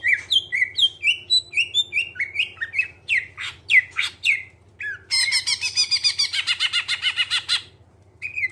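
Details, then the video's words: Greater green leafbird (cucak ijo) lure song with clear tone: a string of quick whistled and sliding notes, then a dense rapid chattering burst about three seconds long, ending with a brief whistle; soft low hum behind. "Cucak ijo suara jernih, pancingan biar cepat gacor"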